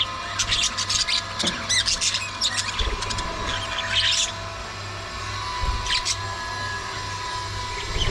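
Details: Budgerigars at early morning feeding time give bright, scratchy chirps and short warbles in quick bursts, mostly in the first half, with a steady low hum beneath.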